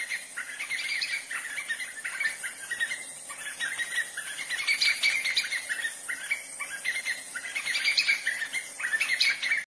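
White-fronted nunbirds in a loud, overlapping chorus of chattering, whistled notes that swell in waves every couple of seconds.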